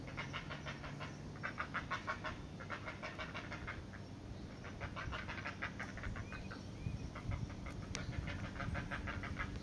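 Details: Great blue heron family at feeding time, the chicks begging: bursts of fast, harsh rasping pulses in several clusters separated by short pauses, a few thin squeaks later, all over steady low background rumble.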